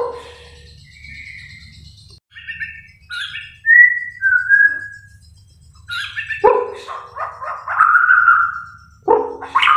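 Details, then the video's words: White-rumped shama (Copsychus malabaricus) from Kalimantan, Borneo, singing in full voice: a varied run of clear whistles, slurred notes and rich warbled phrases swooping up and down in pitch, with short pauses between phrases. "burung murai kalimantan borneo gacor"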